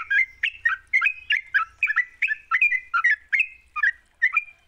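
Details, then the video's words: Sooty-headed bulbul singing, played as a lure to get another bird to sing: bright, jerky whistled phrases rising and falling, given in quick succession for nearly five seconds. "Pancingan trucuk GACOR, sekali dengar trucukanmu gak bisa diam."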